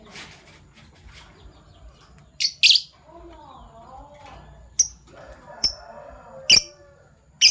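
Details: Fischer's lovebirds, PB Violet and Euwing Gold Opaline, chirping in the morning: scattered piercing single chirps among softer warbling, rising-and-falling tones in the background.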